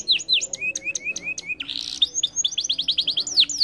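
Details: Canary singing to coax silent canaries into song: crisp high whistled notes repeated, a short buzzy rasp, then a rapid run of evenly spaced chirps ending in down-slurred whistles.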